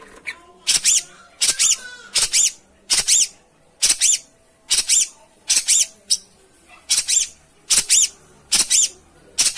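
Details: Long-tailed shrike sound used to make a silent bird sing: loud, very high, squeaky harsh notes in pairs or single bursts, repeated at a steady, even pace throughout.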